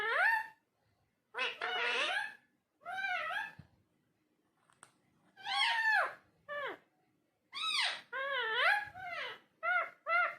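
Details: Indoor talking parrot making clusters of squawky, speech-like syllables with rising and falling whistled tones, spaced by short silences, busier toward the end.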